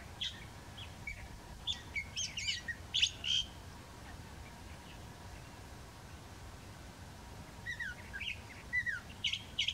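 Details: A California thrasher singing at Whitewater Preserve on 1/3/17 gives a jumbled run of varied chirps and whistled notes, pauses for several seconds, then resumes over a low steady rumble.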